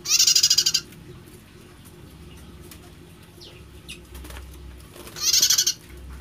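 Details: Prinia with an unusual voice, giving two loud, rattling, pulsed buzzes about five seconds apart, with a few faint high chirps in between over a steady low hum.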